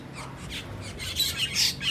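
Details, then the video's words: Asian glossy starlings making noises while feasting on ripe papaya fruit: a short burst of sharp, high squawks and chirps, growing louder toward the end. "Asian Glossy Sterling Birds Making Noises while Feasting on Ripe Papaya Fruit"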